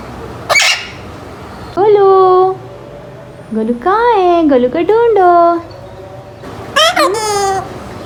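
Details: Eight-month-old pet Alexandrine parakeet just starting to talk, with words like "peek a boo", "mithu" and kiss sounds; a sharp squawk, then a few short, harmonic, speech-like phrases with rising and falling inflection.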